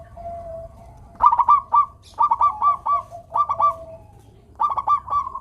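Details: Local zebra dove with a clear, melodious song, used to get quiet doves singing: four quick sets of stuttering, bubbling coo notes, each set under a second long, spaced roughly a second apart.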